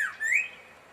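A cardinal gives one clear, slurred whistle that dips briefly and then rises, fading out after half a second; nothing else is heard.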